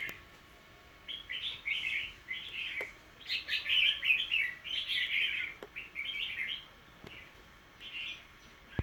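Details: Household bird, recorded 10 December 2020, chattering in a long run of quick, bright chirped notes with short gaps, over constant low hum and occasional clicks.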